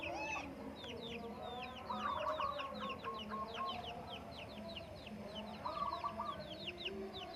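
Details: Morning zebra dove song on the Menoreh slopes as farmers have breakfast: rolling, trilled coo phrases twice, mid-clip and later, over a steady chorus of sharp downslurred chirps from other birds and low clucks.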